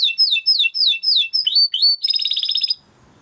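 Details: A Timbrado canary sings for training, with repeated swooping downslurred whistles about four per second, then a dense rolling buzzy trill before stopping.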